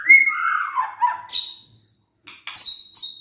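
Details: White-rumped shama kept in captivity, song for provoking idle birds to sing: a warbled descending phrase, then sharp high rasping bursts after a short pause.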